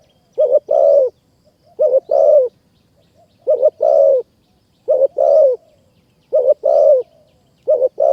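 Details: Spotted dove in mountain forest, Kanchanaburi, Thailand, lured by a caged decoy. It gives a regular run of deep double coos, about one phrase every 1.4 seconds, each pair ending in a rough, slightly falling note.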